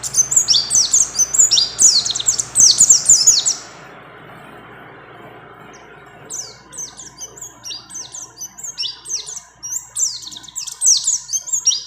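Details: Female mountain white-eye calling a male during breeding condition: a loud burst of high scratchy twitters, a near-silent stretch of about two seconds, then renewed rapid chirping phrases.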